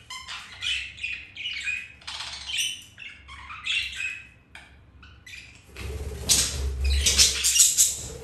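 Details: Budgerigars mating, flirting and playing; scratchy warbled chirps in quick bursts for the first half, then a loud broadband rustle with low thumping, like wings or cage movement, under shrill squawks.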